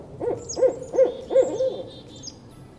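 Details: Barred Owl gives five short, low, barking hoots about every third of a second, the last fading; such deep barking is described as given when an owl feels threatened at night. Nothing else is heard.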